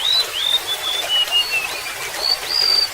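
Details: Golden-bellied gerygone delivering short high whistles dropping step by step, then a rising, sustained high note at the end, over a continuous trickle of water.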